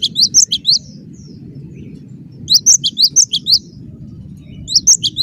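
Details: Cinereous tit in energetic, dense song: three short bursts of four or five sharp, rising high chirps each, with pauses between, against a low background rumble.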